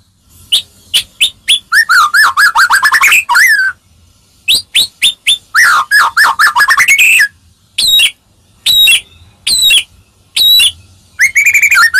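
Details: White-rumped shama song meant to make other shamas answer: sharp high whistles and rapid rising trills, varied phrases with brief pauses, loud and clean without other sounds.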